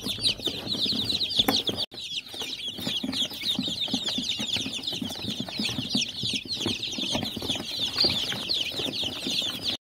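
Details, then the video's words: Many chicks calling together, a steady stream of high, sharp, downward-sliding peeps with faint low thumps and shuffling beneath, nearly continuous for ten seconds. "Цыплёнок, птенец."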